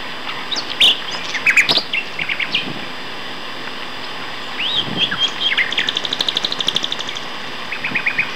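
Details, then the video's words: Two male common nightingales at Castor Hanglands near Peterborough in May sing in turn: varied whistles and sharp chirps, then a fast run of repeated notes, with steady low background hiss. "Nightingale Duet"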